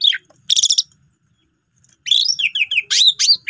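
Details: Asian pied starling used as a training master for starlings: a falling chirp and harsh burst, a second of quiet, then a string of quick wavering whistled notes.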